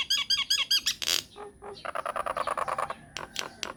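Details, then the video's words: Myna lure meant to make other mynas answer: a quick run of looped whistled notes, a burst of harsh noise, then gurgling nasal chatter and a few sharp high clicks. "PANCINGAN / MASTERAN SAKTI UNTUK SEMUA JENIS JALAK, JALAK APA SAJA AKAN NYAUT | MYNAH BIRD"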